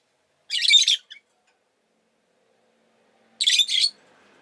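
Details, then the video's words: Rosy-faced lovebird kept as a pet: two loud, buzzy, rasping chirp bursts about three seconds apart, each with a stuttering double pulse, silence between. "Lovebird Chirping Sounds"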